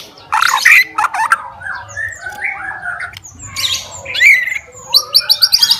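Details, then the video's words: White-rumped shama, a fighter type, singing to stir up rival shamas: harsh loud bursts alternating with softer warbled whistles, closing with a quick series of high clipped notes. "CARI LAWAN,, MURAI BATU SUPER FIGHTER,, BIKIN LAWAN AUTO EMOSI BINGKAR MATERI"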